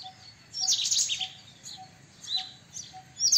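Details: Brief screechy, chattering burst from a white-throated kingfisher, then softer scattered high notes and another sharp outburst at the end, against faint regular tones.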